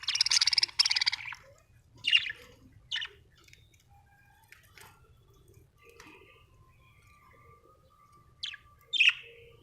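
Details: Budgies kept at home: a loud, rasping, stuttered squawk lasting about a second, followed by a few isolated scratchy chirps spread across the quieter remainder.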